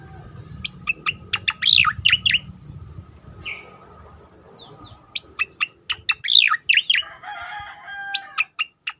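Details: Striated grassbird tembakan song, meant to train and provoke other songbirds: quick series of sharp chirps building into loud, twisting warbled bursts, separated by thin high whistles, over a low rumbling background.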